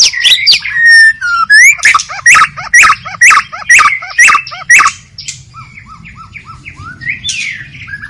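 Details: In the wild forest, a white-rumped shama delivers loud, emphatic whistled phrases, sharp notes repeated roughly every half second for five seconds, then quieter chipping notes and a soft rising whistle; light background rumble.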